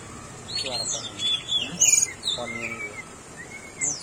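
Tickell's blue flycatcher giving thin, high-pitched whistles and quick chirps in short scattered bursts, with a faint human voice in the background.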